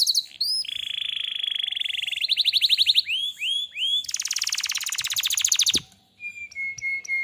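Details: Canary singing actively: a long buzzy trill, swooping chirps, then a loud fast rattling roll that stops abruptly, ending on flat whistled notes.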